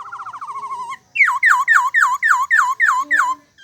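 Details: Bird giving a short buzzy trill, then a rapid series of about eight loud downslurred whistled notes, evenly spaced, each dropping sharply in pitch.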